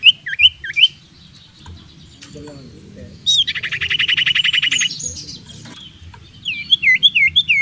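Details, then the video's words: Common iora, called cipoh or sirtu, singing to lure rivals into fights: a few looped whistles, a pause, a long rattling trill of rapid pulses, then more looping whistled notes; soft background hum. "Kicau burung sirtu/cipoh gacor cocok untuk pancingan lawan tarung"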